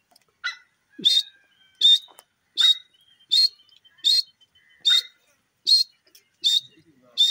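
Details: Grey francolin calling in a steady series of loud, sharp, high notes, each burst about three-quarters of a second apart, ten in a row, with faint fainter notes between them and an otherwise quiet background.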